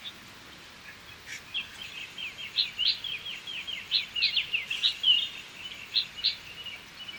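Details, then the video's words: Parrot singing: a lively chattering run of quick high chirps and short slurred notes, rising and falling in bursts over several seconds, with faint background hiss. "This parrot sings better than most pop stars"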